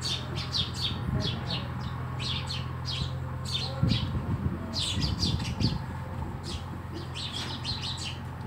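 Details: Sparrows at a house: short, high chirps in quick, uneven bursts, often in clusters of two or three, over a steady low hum.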